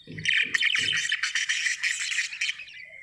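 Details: Happy budgerigar giving a fast, continuous stream of buzzy, chattering warbles, with three soft low knocks at the start.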